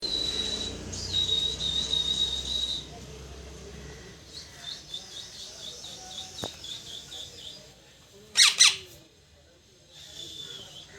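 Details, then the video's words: Parrot chirping: thin high whistled notes, some long and slightly wavering, in bursts over a hissing background, with a brief harsh rasping burst near the end. "parrot Chirping sound"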